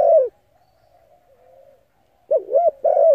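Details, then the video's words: Spotted dove cooing to lure and stimulate decoy birds: a low mellow coo at the start, a pause, then a quick run of rounded, slightly wavering coo notes. "Tiếng cu gáy hấp dẫn đủ bài thúc gù gáy gọi kích mồi tập bổi nhanh nổi hiệu quả"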